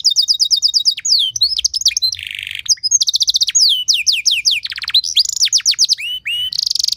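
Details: Canary singing a varied training phrase for other canaries: rapid trills, a harsh buzz, clipped whistles, and a series of loud sweeping notes, ending on a steady high tone.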